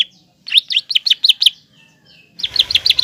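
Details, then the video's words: Green leafbird singing hard to stir a juvenile spotted leafbird into aggression; fast runs of sharp, slurred whistles in quick succession, a brief pause, then another rapid burst of similar chirpy notes. "CUCAK IJO GACOR MEMANCING CUCAK IJO TROTOL AGAR EMOSI DAN PANAS"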